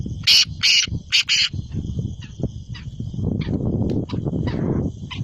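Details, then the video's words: Black francolin, the Sindhi kala teetar of Pakistan, opening with four loud harsh grating bursts in quick succession, then fainter scattered notes over low rumbling background noise. "Sindhi kala teetar ki awaz"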